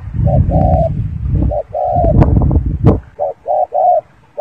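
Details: Spotted dove cooing close by: soft hollow coos in short paired and grouped phrases, partly masked by loud low rumbling and a few sharp clicks in the middle.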